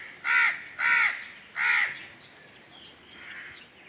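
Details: Three strong, harsh crow caws in a rapid series, trailing off into a faint distant call and quiet noise.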